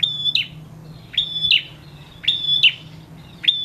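A male prinia repeats sharp, high, metallic chip notes, often in quick pairs, about once a second, over a faint low hum.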